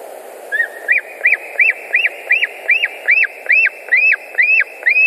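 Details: At a Latvian nest on 10 August 2019, around 15:05, white-tailed eagles give a run of about twelve loud yelps, each note arching up and falling, repeated quickly and evenly, with constant background hiss.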